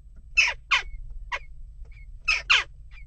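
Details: Jackdaws calling amid nest-box unrest, giving five loud, grating calls in two quick pairs plus a single one between, with thin faint whistles in the pauses.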